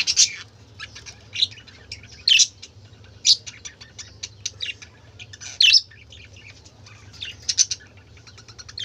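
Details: Budgerigar chatter from a group of colourful birds: bright, high chirps and scratchy squawks come in loud bursts about every second or two over a soft, continuous warble.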